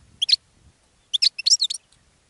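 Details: Goldfinch song meant to attract other birds: brief clusters of high twittering and tinkling notes separated by a gap, with faint low rumble underneath.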